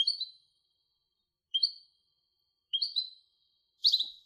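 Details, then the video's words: European goldfinch hybrid giving four separate short chirped calls, each a bright slurred double note, spaced about one to one and a half seconds apart. "تغريد هجين الحسون Canto De Mixto del Jilguero"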